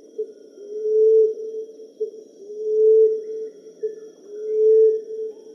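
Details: Low, moaning coos from a common emerald dove, each drawn-out tone swelling and then fading after a tiny introductory note, repeated evenly roughly every 1.8 seconds against quiet background hiss.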